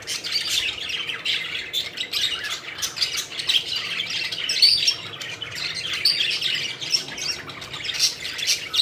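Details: Several pet budgerigars playing and flying about, giving a dense, continuous warbling chatter of scratchy chirps and squawks with a few sharp whistled notes, no pauses throughout.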